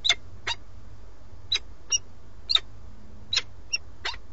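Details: Male peregrine falcon at the nest in Alcalá de Henares, Madrid, bringing a starling and calling the female, who doesn't come; harsh, scratchy calls roughly one every half second to second, some single and some doubled, over a low steady rumble.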